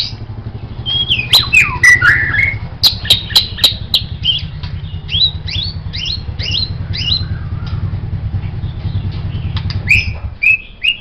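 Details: White-rumped shama song for tutoring songbirds: rapid varied phrases of slurred whistles and sharp clicks, then spaced rising notes, over a steady low mechanical hum.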